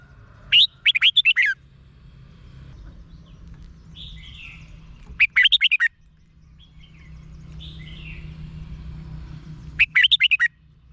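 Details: Caged-bird Red-whiskered bulbul song from Thailand, played to make birds excited. Three loud phrases of five to six rapid, liquid notes come about four and a half seconds apart, with softer calls from other birds in between.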